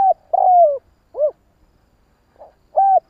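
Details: Kích bổi cooing from a spotted dove: a long coo gliding downward, a short arched note, then after a gap a faint lead-in and a steady flat hoarse coo, all clean against silence.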